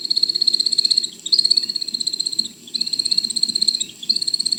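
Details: Male American Woodcock performing his repeated display flight: three bursts of fast, high, pulsed twittering, each about a second long, broken by short pauses, over a faint low rumble.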